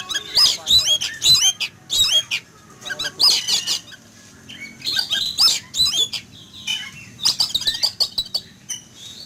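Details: Oriental magpie-robin in a cage in a yard, startled in the morning by a flying eagle, calls noisily: bright upslurred whistles and harsh scraping bursts repeated every second or two across the recording.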